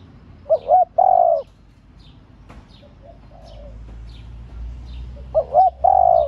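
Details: Spotted dove female cooing to excite males. A loud phrase of short doubled notes and a long drawn coo opens and closes the stretch, with fainter distant coos and low rumble between.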